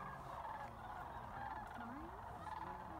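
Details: Sandhill cranes at Jasper-Pulaski, a distant chorus of rolling, trilled bugling calls blending into a steady wash of flock noise.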